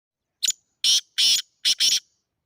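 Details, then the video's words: Partridge (teetar) from Sindh, a kept bird whose calling speed is being tested: five harsh, hissy notes within about 1.7 seconds, the first short, the middle two longer, the last two closely paired, with silence around. "Teetar ki Speed Check karo"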